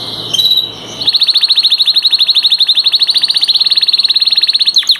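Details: Canary song, one of three master singing canaries: after a brief scratchy start, a long, even, rapid trill of identical high pulses held steady for nearly four seconds, ending in a few quick downward slurs.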